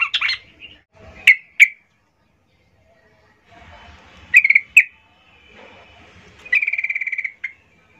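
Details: Female yellow-vented bulbul luring males: pairs of sharp, squeaky chips separated by long pauses and some low background noise, closing with a fast, buzzy rattling trill of about twelve notes.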